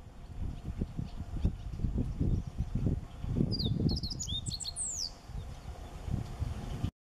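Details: A Siberian meadow bunting, perched very close in a tree in a landscaped park garden in May 2017, sings one brief, quick phrase of high, sharp notes, partly masked by heavy low wind rumble.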